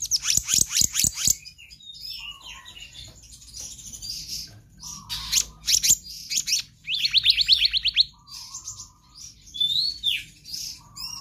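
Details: Full-variation 'gacor konslet' song of a black-naped monarch recorded as a tutor for other birds: an opening rapid burst of sharp repeated notes, assorted whistles and chips, a buzzy rattled phrase, then rising slurred whistles.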